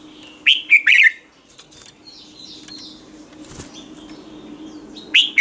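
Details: A red-whiskered bulbul sings a morning training phrase, meant as a decoy for other bulbuls: three fast, mellow whistled notes, a stretch of soft distant chirps and a rustle, then the start of another loud phrase.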